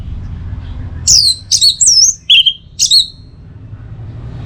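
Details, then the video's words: Orange-headed thrush (anis merah) teler song used as masteran and lure for kept birds: a burst of five high, sharp whistled notes, some sliding downward, grouped within two seconds over a low background hum. "Masteran sekaligus Pancingan Burung ANIS MERAH Agar Selalu Bisa Menikmati Telernya setiap saat"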